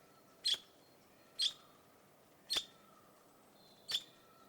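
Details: Four crisp, high-pitched chirps from a red-rumped parrot, spaced about a second apart at a slightly uneven pace, each short and whistled, with a faint low steady tone in the background.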